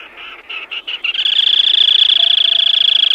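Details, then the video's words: Black-tailed crake gives a few short, high chipping notes, then breaks into a fast, steady, buzzy rattling trill that holds an even pitch. "เสียงนกอัญชันหางดำ Black-Tailed Crake Sound"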